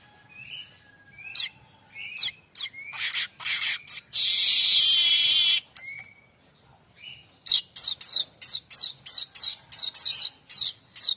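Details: Varied streaked weaver song used to train songbirds: thin whistles and chattering notes, a loud sizzling buzz of about two seconds, then a fast run of evenly spaced sharp ticks.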